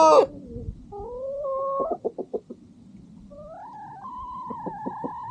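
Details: Chickens and rooster at sunset on a farm, a dog eating nearby: a sharp opening squawk, rising held tonal notes, a run of four quick clucks, then a long steady call with faint clucking beneath.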